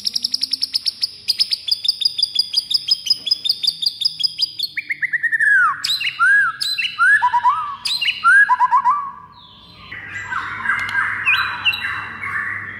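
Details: Fighter song of a white-rumped shama, used to make rival birds furious: a fast, even rattle of sharp chips opens, then varied sweeping, slurred whistles and a dense, buzzy final phrase.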